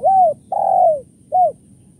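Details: Spotted dove giving its kuk 1-2 lure call: three soft, hollow coos, the middle one long and sliding downward, the last brief, against a quiet background.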